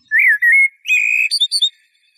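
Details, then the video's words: Mellow fluted notes from a Eurasian blackbird, rising and falling, then a sustained whistle that gives way to a higher, squeaky twittering end to the phrase. "تغريد طائر شحرور (جحمومية)Merle noir"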